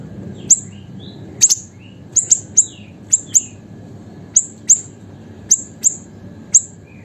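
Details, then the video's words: Small caged siri-siri in full song, used as a tutor and lure for songbirds: bright, sharp high chips repeated roughly twice a second, interleaved with soft sliding whistled notes. "BURUNG SIRI-SIRI KECIL GACOR COCOK UNTUK MASTERAN DAN PANCINGAN SEGALA BURUNG KICAU"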